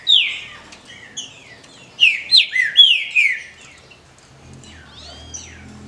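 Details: Female rufous-bellied thrush calls, kept bird, used to stimulate males: a burst of sharp descending chirps at the start, then a run of four loud slurred downward notes, followed by a soft arched whistle and low background hum.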